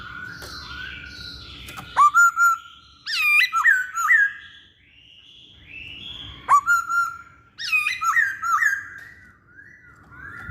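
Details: Vocal masked laughingthrush, its song a lure for other birds: two loud bursts of ringing whistles, each opening with a sharp upswept note followed by bouncing, slurred phrases, separated by softer warbling and low background hiss.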